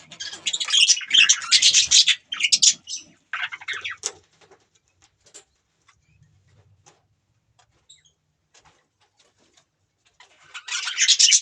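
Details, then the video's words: Budgerigars give loud bursts of scratchy chatter and chirps at the start, fall to near silence with faint ticks and clicks, then break into chatter again at the end. "Budgies Birds talking sound | Birds chirping sound"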